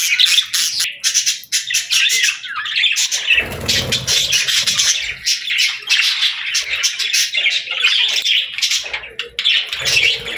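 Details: Several parakeets playing, singing and talking together, a dense continuous warble of high chirps and scratchy squawks with no pauses, plus a brief low rumble near the middle.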